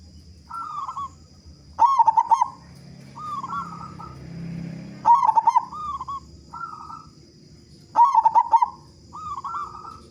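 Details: Local zebra dove singing loudly as a lure so other doves start singing; brief wavering coos and loud fast-pulsed rolling phrases repeat about every three seconds, a continuous high tone underneath.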